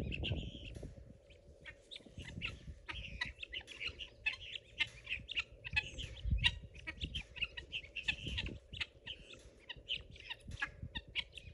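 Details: Pearl guineafowl, a domestic flock roaming a garden eating bugs, calling loudly when excited: harsh, rasping notes repeated rapidly in dense overlapping chatter from several birds, over a steady low rumbling background noise.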